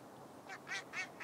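Spotted Sandpiper giving a quick series of four short, high, slightly harsh notes, about four per second, over faint background hiss.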